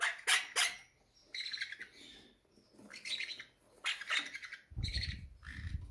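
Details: Captive parrots being fed, hungry and greedy, giving rough squawking bursts and shorter chattering calls roughly every second, with low thumping handling noise toward the end.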